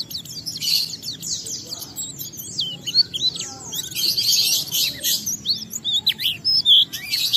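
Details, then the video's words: Oriental white-eye in lively song used to draw other white-eyes into singing: high chattering twitters mixed with sweeping whistled slurs, uneven in rhythm, ending in louder sharp chirps. "Pleci Bahan Segera Ngalas Nembak dan Bongkar isian setelah diperdengarkan pleci gacor ini"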